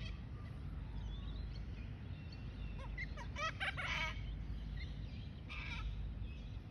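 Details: Little corella, recorded 25 December, giving harsh, grating screeches in two short bursts, the first a rapid cluster of several calls, over a steady low rumble.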